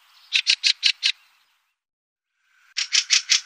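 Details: Fieldfare in Wittlich, Germany, 2018, giving harsh dry chacking notes in a quick series of five, a pause, then four more in the same rattling rhythm.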